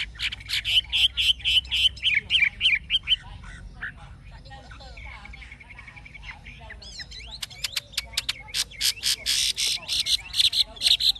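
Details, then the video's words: Chinese hwamei, an adult caught from the wild and now caged, delivers forest-style song: a fast run of repeated sharp whistled notes, a quieter muddled middle, then a rapid, intense series of high clicks and whistles. "Họa mi già rừng chuẩn giọng rừng hay"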